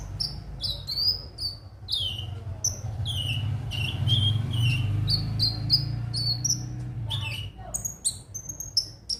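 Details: Konin song used as a lure so birds sing daily: long run of high, thin notes and descending slurred whistles at a brisk pace, with a humming low background.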